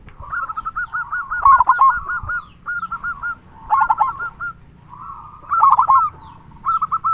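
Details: Local perkutut or zebra dove singing strongly, used as a lure to rouse quiet or stressed doves and spark rivalry; repeated rolling, trilled coos in several phrases, each a run of quick pulsed notes followed by a pause.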